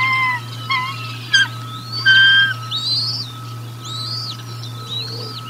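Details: Bald eagles during a feeding at the Decorah North nest on 1 April 2022, picked up by a nest camera: a run of high, thin whistled chirps and slurred rising-then-falling notes, some short and clipped, over a steady low electrical hum.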